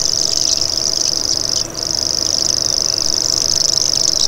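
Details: Sustained high, rapid reeling trill of a common grasshopper warbler, broken by one short gap before resuming, with faint other bird chirps in the background.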